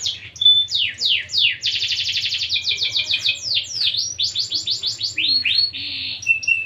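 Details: Canary singing nonstop in 'gacor' style, a dense stream of quick descending sweeps, chattering trills and rolling buzzes, ending on a thin sustained whistle, with a faint low hum behind.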